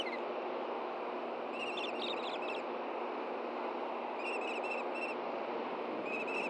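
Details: At an osprey nest in Hellgate Canyon, Montana, June 6, 2014, during a fish handoff between the pair. A few scattered short bursts of high whistled chirps rise above a loud, constant rushing background.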